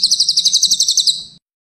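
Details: Cililin song recording made as masteran for training songbirds: a rapid high trill of about fourteen evenly spaced, slightly buzzy notes over just under one and a half seconds, holding a steady pitch, then fading out into silence.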